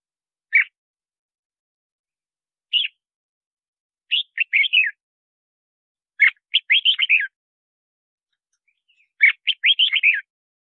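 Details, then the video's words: Lure song of a red-whiskered bulbul, played to attract wild birds and coach captive ones: single clipped chirps followed by longer bubbling phrases of quick, slurred whistles, four phrases over about ten seconds, no other sounds. "Tiếng Chào Mào Hót Gọi Bổi"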